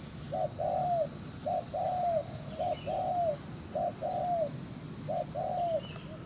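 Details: Wild-caught spotted dove cooing quickly, five even phrases of a short note followed by a longer coo that curls downward at its end, spaced roughly a second apart above a faint continuous hum.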